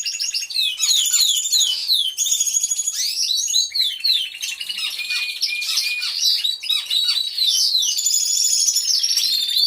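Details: Canaries in an aviary, captured by a hidden camera, singing all at once: a continuous chorus of fast high trills, sweeping whistles and buzzy rattles layered over one another without a break.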